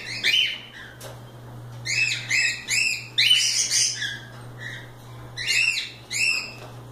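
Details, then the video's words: Cockatiels let out to play, chattering in clusters of bright arched chirps with strong harmonics, several birds overlapping, over a steady low hum. "Calopsitas Live Canto dos pássaros"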